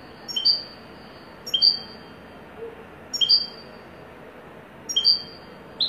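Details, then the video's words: European goldfinch, called a wedani goldfinch, singing short bright phrases. Each phrase is a high chirp followed by a slightly lower one, repeated four times at roughly one-and-a-half-second intervals over a faint steady background hiss. "تغريد حسون ويداني"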